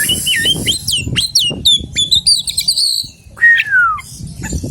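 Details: Oriental magpie-robin (kacer alas) delivering rich whistled song with rising and falling slurs, brief twittering runs and a drawn-out downslurred whistle, over soft thumping background noise.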